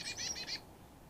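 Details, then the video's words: Carolina chickadee calling at a sunflower-seed feeder in the Great Smoky Mountains. Four quick, buzzy, high notes run together in half a second over a low steady background hum. "Carolina Chickadee and American Goldfinch Calls"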